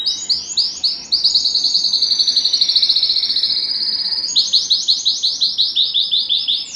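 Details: Canary song said to stimulate the male and excite the female to mate: rapid rising chirps, a long fast rolling trill, then evenly spaced upswept notes.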